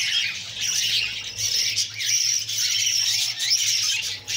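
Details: A female budgerigar feeds her young as they beg with a harsh, sizzling wall of squawks, uneven pulses roughly every second, over a faint low mechanical hum.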